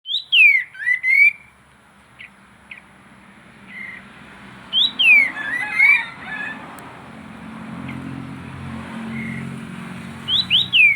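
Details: Pied triller (kapas tembak), a lively bird used to coax silent birds into singing, gives sharp, high downslurred whistles in quick pairs and triplets, separated by pauses and scattered soft chips, with a faint low hum behind.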